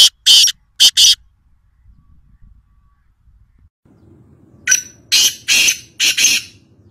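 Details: Black francolin (kala teetar) from Nawabshah, Pakistan: three sharp rasping notes, silence, then a grating series of five loud notes rising out of a low hum.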